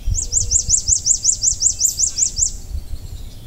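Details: In a backyard in the northeastern US during spring migration, an American Redstart sings a quick run of about a dozen thin, very high notes, each sharply slurred up and down, over a low background rumble.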